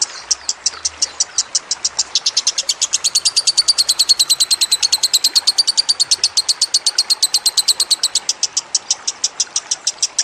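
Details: Lovebird in a long sustained chattering burst, a training recording for songbirds with running water added: rapid shrill clicks whose pitch rises and thickens midway, then settles, repeated steadily for ten seconds.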